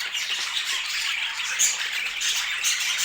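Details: Group of colorful pet budgerigars chirping busily, rough high squawks blending together, with two clear piercing whistles standing out near the middle and end.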